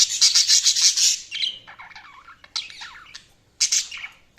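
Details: Chirping budgerigars: a loud run of rapid, piercing high chips opens, followed by softer buzzy, wavering chatter and a final short burst of sharp notes.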